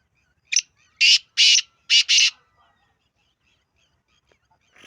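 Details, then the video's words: One full call of the black francolin (kala teetar): a thin introductory note, then four loud, scratchy notes, paired toward the end, followed by quiet and a faint rustle at the close. "کالا تیتر کی آواز"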